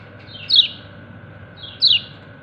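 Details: Two short, piercing chirps from a kecial kuning white-eye calling its companions, each sliding steeply downward, about one and a third seconds apart, over a soft steady hum.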